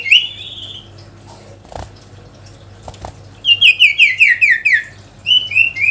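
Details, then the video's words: Sooty-headed bulbul calling a rival, a short whistle, a stretch of quiet with soft knocks, then a series of quick repeated downslurred notes and a final bright phrase. "SIRTU GACOR MEMANGGIL LAWAN‼️ Suara Asli Alam Durasi Panjang"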